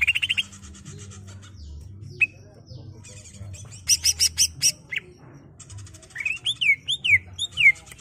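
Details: Greater green leafbird song for training a captive bird: buzzy chatter, a loud rattling trill series, then looping rising-and-falling whistled notes repeated several times, with a low background hum.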